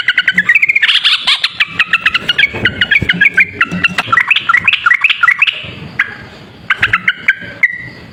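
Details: Yellow-vented bulbul song played as a lure for trapping: loud, fast bubbling chatter of repeated mid-pitched notes, then a brief pause and a few clipped phrases.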